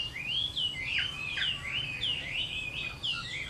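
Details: Chinese hwamei singing its fighting song at summer midday: a continuous run of clear, looping whistled phrases, each sliding up and down, repeated in quick succession without pause.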